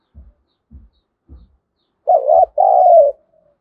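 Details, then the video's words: Spotted dove serving as a fighting lure for wild birds: after three soft low knocks, one strong two-note coo, short then long and slowly falling. "Chim Cu Mồi Thúc Đấu/ tieng cu gay kich boi nhanh noi"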